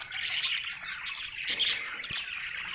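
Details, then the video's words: Happy budgerigar chirping: bright twittering chatter with high whistled squeaks, rising in loudness midway, a single low knock near the end. "Happy budgie chirping sound"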